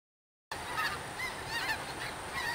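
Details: Snow geese and blue geese flying over Roberts Cove, Louisiana, on December 30, 2011: distant, high, yelping honks scattered through a steady hiss after a half-second of silence.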